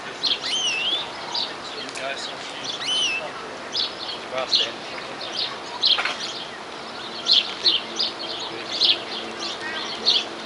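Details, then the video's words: Wild greenfinch in New Zealand singing continuously, a long run of short high chirps and twitters in irregular groups, with a few looping whistled slides near the start, over light outdoor background noise. "Greenfinch Sing In New Zealand Wildlife !"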